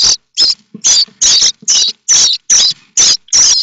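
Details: Young common starlings in their nest at Théding, France, 7 May 2024, eagerly begging for food: rapid loud rasping screeches, about three bursts a second, in a rhythmic run.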